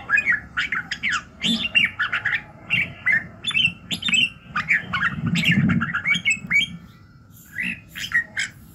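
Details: Red-whiskered bulbul singing in the morning for voice training: fast, continuous string of liquid warbled notes, with a soft low rumble in the background and a quieter pause near the end.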